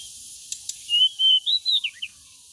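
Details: Sun-basking pied bushchat gives one brisk whistled phrase: a sustained clear note, then three or four louder clipped whistles stepping upward, finishing with two short falling notes; two faint clicks precede it.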